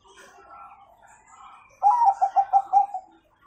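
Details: A Bangkok-type zebra dove's 'kung' song, played as a master to train young birds. Soft, faint notes come first, then a loud burst of five clipped, hollow coos in quick succession.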